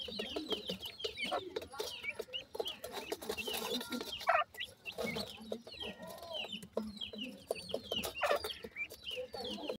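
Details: Feeding grey francolin chicks in a family group give many overlapping high, downslurred chirps, with low clucks and frequent clicking or pecking noises.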